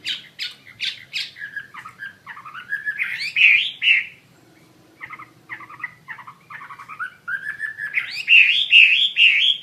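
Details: Chinese hwamei singing energetically: varied chips and warbles building into rising, rich whistled flourishes, a brief pause, then the same build-up repeated to a loud looping climax; faint low hum beneath.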